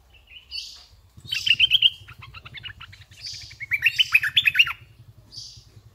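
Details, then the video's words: Red-eyed bulbul decoy bird singing: two bursts of rapid, chirpy, bubbling notes, each about a second long, separated by a pause, with soft hissy noise between phrases. "MERBAH LEKIR PADU"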